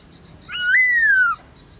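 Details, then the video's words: Black-throated laughingthrush, a kept bird singing in forest-voice style at midday: one pure drawn-out whistle, rising briefly then sliding slowly downward, under a second long, over quiet background. "Khướu bạc má HÓT BUỔI TRƯA cực hay , Luyện khướu bạc má hót cả ngày, khướu bạc má hót giọng rừng"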